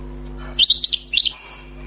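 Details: European goldfinch, wild-caught and freshly trapped, sings a short run of quick tinkling twitters and high chirps lasting under a second, with a steady low background hum.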